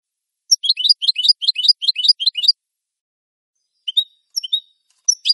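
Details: Clean European goldfinch song meant for teaching captive birds: a quick run of about ten high, repeated, downward-slurred notes, then a pause and a few separate thin whistled and twittering notes, in complete silence otherwise.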